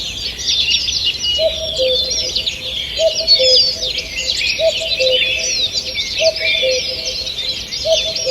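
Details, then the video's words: Forest birds singing in the morning, 2 June 2023: many overlapping high chirps and trills fill the air, while a low, hollow two-part note repeats about every one and a half seconds underneath. "Утреннее пение птиц"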